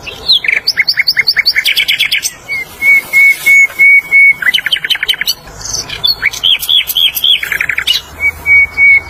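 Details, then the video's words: Flycatcher in the wild giving rapid stuttering note series, then long steady whistled tones, followed by more fast chirped runs and another drawn-out whistle. "KICAUAN SIKATAN LONDO DI ALAM BEBAS"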